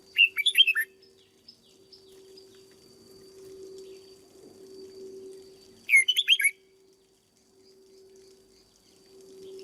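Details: Caged red-whiskered bulbul under training: a brisk five-note whistled phrase opens, a quiet gap follows, then the same bubbly phrase returns about six seconds later above a steady electrical hum.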